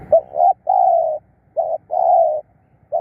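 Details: Decoy spotted dove used for luring wild birds, cooing in quick succession: short notes alternating with longer level coos of about half a second, closely spaced.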